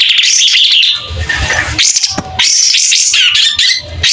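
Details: Kapas tembak white-rumped shama in energetic song with open tail: ringing warbled whistles, a softer middle section with a sharp click, then further clear slurred phrases over faint low background noise.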